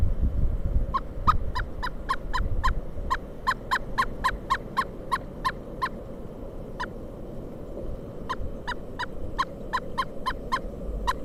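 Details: Pileated woodpecker calling during a December 2022 snow storm in Kalamazoo, Michigan: a long run of loud, evenly pitched wuk notes, about four a second, briefly pausing and then resuming, over a steady low rumble of wind.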